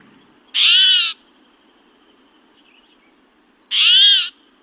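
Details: Spotted towhee call, described as grumpy or cranky rather than a song: two harsh, raspy buzzes, each about half a second long and roughly three seconds apart, over a quiet background.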